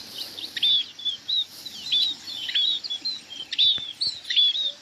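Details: A munia flock calling to gather: sharp, high, thin chirps and short downslurred notes tumble over one another in a steady busy chatter.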